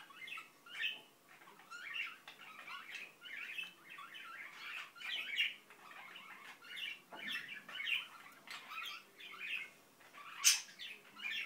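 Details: Pet Indian ringneck parakeet mumbling at length: steady, murmured, rasping syllables in short bursts about every half second, with a few sharp clicks and one bright squeak near the end.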